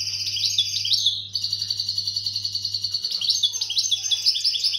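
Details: A European goldfinch in breeding condition sings a fast, liquid stream of tinkling twitters and trills, with a faint low hum behind.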